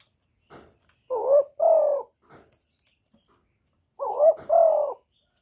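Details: Spotted dove calling in a noise-free recording: two deep paired coos, a rising note then a longer level-to-falling hoot, separated by soft taps and rustles.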